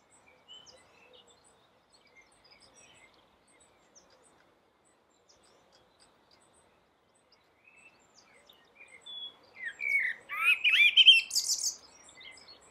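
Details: After long near-silence, a common blackbird on a rooftop at dawn bursts into a short loud phrase: a few whistles followed by a dense, high-pitched chattering twitter lasting about three seconds.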